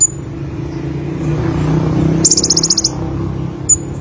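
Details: Olive-backed sunbird: a thin high whistle opens, then a fast ringing trill of about ten pulses comes over a low hum, and one more sharp high note closes.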